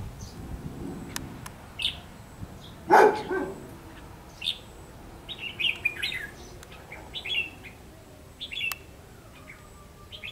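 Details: Red-whiskered bulbul used as a decoy bird for trapping, 30 May 2016, in 'ché' song style: short bright whistled phrases, some slurred and warbling, scattered irregularly through the clip, with one loud dog-like bark and faint clicks.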